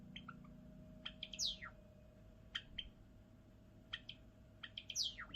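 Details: Java sparrow repeating its pattern: clusters of ringing clicks, each capped by a high whistle sliding steeply downward, three phrases in about five seconds.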